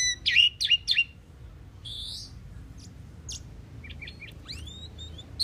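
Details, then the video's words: Common pied myna song: three harsh chirps in quick succession, a buzzy drawn-out note, faint clicks, then a cluster of short notes and a rising slurred whistle. "Common pied myna bird song /Indian maina sound /mynah singing / starling pied bird"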